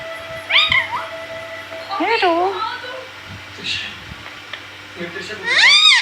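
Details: A pet green parrot talking indoors: several short warbled, bending vocal phrases with strong harmonics, rising and falling, spaced about 1.5 seconds apart, with faint background noise.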